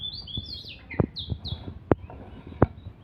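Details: Fighting Oriental magpie-robin in full voice, giving a quick run of high whistled slurs followed by loud knocking clicks roughly every half second over low background hum.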